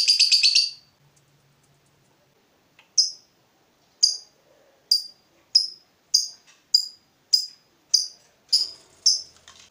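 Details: Fighter lovebird, heated up by provocation, answering with 'ngetik' ticking: a short harsh chattering burst, then sharp shrill single chips spaced about every half second after a pause.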